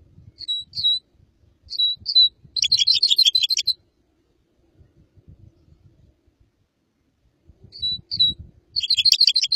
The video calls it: red crossbill singing